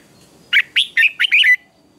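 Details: A single red-whiskered bulbul phrase from a morning singing contest: five clear, fast whistled notes, the last ones slurred and dropping in pitch, over a quiet background.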